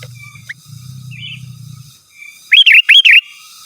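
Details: Sooty-headed bulbul, a lively singer calling to rivals, gives a few loud, bubbly, fluty rising-and-falling notes in quick succession after a soft low hum and faint thin whistles.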